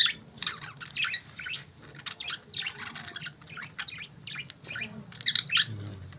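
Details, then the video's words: Budgerigars chirping in the morning: bursts of harsh, buzzy chatter and short squawks in overlapping clusters, with a faint low hum underneath. "Budgies Morning Chirping Sounds"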